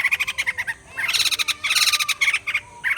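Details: Caged white-crested laughingthrush in broken bursts of rapid, harsh pulsed chatter, several short runs separated by brief pauses, bright and cackling.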